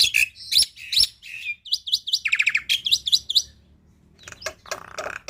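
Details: Tutor song of a black-winged myna in full 'isian tembakan' style, meant for young birds to copy: sharp looping whistles, a quick buzzy trill in the middle, then scattered harsh notes after a brief lull.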